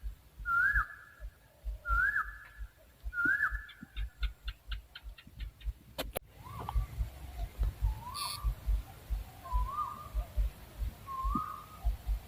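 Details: Owl uttering a series of short, slightly rising whistled notes at steady intervals, seven heard in total. Sharp clicking and crackling noises interrupt the middle, and a low rumble runs throughout.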